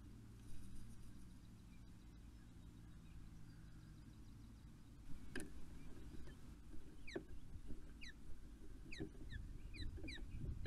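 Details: Ospreys at Poole Harbour on an early June morning, meeting up and mating: after a quiet start, sharp down-slurred whistled notes come in bursts from the middle of the recording onward, over a low rumble of water and engine-like noise.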